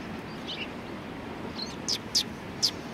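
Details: A Tenmangu shrine sparrow calls: two soft notes, then three louder high chirps spaced about a quarter second apart, against a low background murmur.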